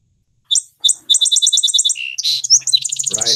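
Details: Song Sparrow singing in spring in North America, a song that varies by locality: two sharp introductory notes, a fast run of bright repeated chips, then a buzzy trill and jumbled whistled phrases, all high-pitched.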